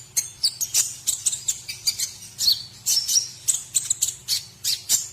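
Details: Masteran training recording of white-rumped shama song for teaching other birds: rapid, evenly spaced bursts of high, harsh chirps and squeaky notes, about three per second, with a steady low hum underneath.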